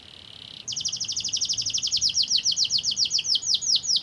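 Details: Lure song of a canary, used to get other canaries singing: a brief soft buzz, then a long, loud, rapid series of sharp downslurred chips, roughly two and a half per second, quickening slightly.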